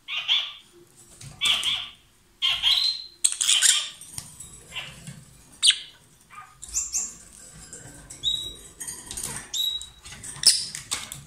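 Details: A pair of lovebirds in loud song, possibly kissing or passing food, giving shrill, piercing chirps in quick bursts every second or so, mixed with scratchy rustles and clicks.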